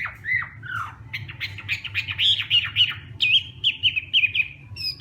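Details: Hwamei in morning voice training, singing in fighting style: scratchy slurred calls lead into a rapid series of ringing, repeated whistled notes about twice a second, with a faint steady low hum behind.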